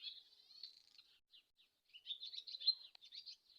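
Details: Swallow twittering: a run of high, fast chirps and warbled notes, a short lull with a few isolated squeaks, then a denser burst of scratchy, squeaky chatter.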